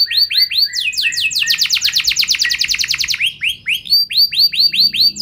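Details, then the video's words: Gacor canary song used as a lure (pancingan) to make other canaries respond: quick down-slurred whistles, then a fast rolling trill in the middle, closing with more curved, falling notes. "Burung Kenari Kondisi Apa Saja Bisa langsung Respon Dengan Pancingan Kenari Gacor Satu Ini"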